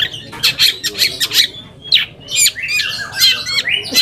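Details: Lure song of a long-tailed shrike to provoke rivals into answering: harsh chatters followed by a run of rising and falling whistled slurs, varied and energetic.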